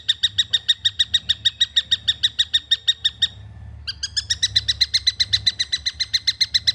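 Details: Juvenile long-tailed shrike giving a fast series of harsh, nasal notes with strong harmonics, about six per second. A brief pause follows, then the series resumes slightly quicker and louder. A faint low hum sits underneath.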